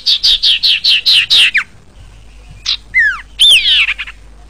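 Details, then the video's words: A sirpu sings a quick run of seven high, chipping notes, then a pause and a few clear, down-slurred whistles with a bright rising and falling phrase. "Suara Burung SIRPU"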